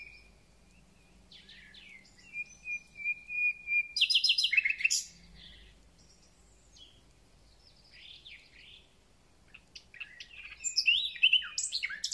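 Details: Thrush nightingale singing a full concert at the start of spring: long pure whistles, sliding notes and a sudden loud rattling burst, then quieter phrases ending in a fresh dry trill.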